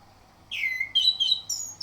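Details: Orange-headed thrush song used as a morning lure to prompt other birds to sing: a bright phrase opening with a loud descending whistle, followed by quick high chirped notes rising toward the end, over a quiet low hum.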